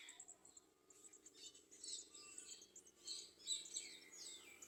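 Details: Garden sunbird feeding the baby while clinging to the nest. Faint, high, sharp tweets are spaced unevenly, with a few short slurred notes. A low background hum runs throughout.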